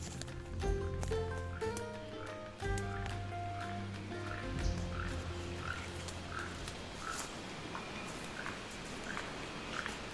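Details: Keel-billed toucan in the Maya forest around the pyramids of Calakmul, Mexico, giving dry, frog-like croaks from the trees roughly every second or two, over a bed of background music.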